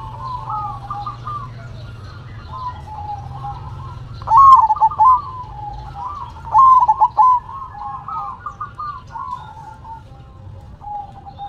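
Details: Zebra dove singing in the manggung style while shaking its head, two loud stuttering cooed phrases midway over a steady layer of softer cooing from other doves in the background.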